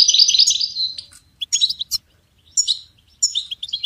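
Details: Goldfinch singing, with recordings used to support and train songbirds: an opening burst of rapid liquid twittering, then short separated chirpy, tinkling phrases with silent gaps between them.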